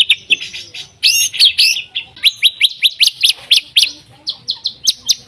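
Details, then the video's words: White-rumped shama lure song: scattered high chips, then a dense burst of loud whistled notes and a series of upswept chirps at a lively, slightly uneven pace. "MURAI BATU GACOR AMPUH BUAT PANCINGAN MURAI BATU AGAR BUNYI CEPAT BIKIN MURAI BONGKAR MATERI"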